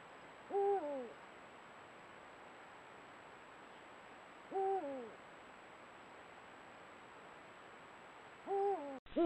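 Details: Eurasian eagle-owl at night in the breeding season, on a camera trap as two males compete over a female, gives deep two-part hoots, a low note then a falling tail, about every four seconds over a steady hiss; a click ends it.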